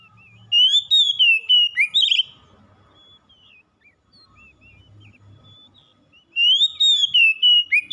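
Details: Oriental magpie-robin in full song: loud, clear whistled phrases with rising and falling slurred notes, a quieter stretch of soft chips in the middle, then another bright whistled burst.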